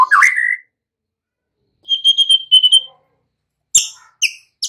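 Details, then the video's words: White-rumped shama song fragments used to coax untrained young birds into full singing: a swooping whistled note, then a pulsing high trill after a pause, ending with a few sharp, short high notes. "Pancingan murai BAKALAN Agar ikutan NGEPLONG GACOR dengan CEPAT"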